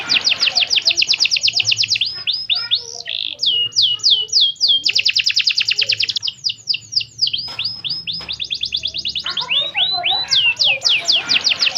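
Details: Singing canary used as a lure to set others singing, described as chirping 'cuit cuit': loud, fast rolling trills of repeated rising-falling notes in long bursts with brief pauses, very high and bright.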